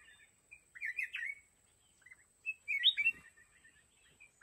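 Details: Decoy red-whiskered bulbul in a fighting trap for wild mountain birds delivers short, lively whistled phrases with quick up-and-down slurs and a few isolated chirps. A soft knock is also heard midway.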